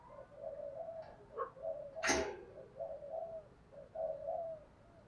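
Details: Spotted dove cooing in the thúc gù style with a low, earthy giọng thổ voice, used as a lure for wild doves: a soft run of low, hollow coo notes, with a sharp click midway and a faint background hiss.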